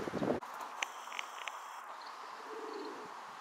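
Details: Rock doves (pigeons), busy courting females and feeding, recorded 23 May 2024 around 14:23: a short, low, throaty coo, then a fainter, softer coo, with sharp taps and a thin high whine in between.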